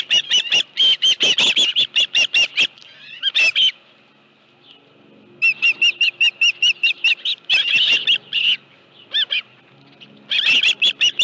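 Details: Osprey at a nest at Dunrovin Ranch on 25 July 2018 around 5:23 PM, with a live fish: bursts of high, sharp, whistled chirps repeated rapidly, about two or three per second, separated by quiet pauses.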